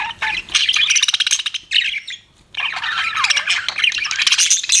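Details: Chattering budgerigars kept as pets: rapid buzzy warbling with clicks and a downward-sliding whistle, a short quiet break midway.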